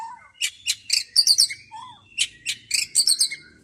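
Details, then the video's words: White-rumped shama singing after bathing: a rapid string of loud, sharp high chirps and whistled notes in quick bursts, with a couple of lower slurred whistles between them, over a quiet background. "ngintip murai sudah mandi"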